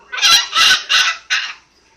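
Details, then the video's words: Pet African grey parrot making noises indoors: four loud, harsh, raspy squawks in quick succession, the last one shorter and cut off. "my African grey making noises"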